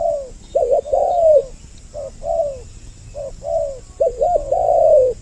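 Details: Spotted dove lure call, a double-voiced recording meant to draw in males and females: soft, mellow coos in short, overlapping phrases, each note swelling then falling, with brief pauses between bursts.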